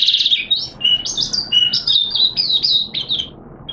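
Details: A caged white-eye on 13 September 2022, second day of monthly deworming, sings a flowing warble of high, slurred whistled notes that rise and fall in quick succession.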